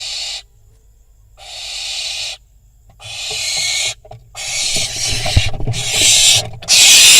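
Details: Barn owl fledgling on a nest camera in Israel after a prey drop, eating beside a pigeon; broad, rushing hiss-screeches in bursts of about a second, growing louder and more crowded toward the end with low knocking sounds.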